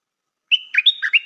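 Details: A single phrase from a stripe-throated bulbul decoy: an even whistle that leads into four throaty, bubbling notes, sweet and well phrased.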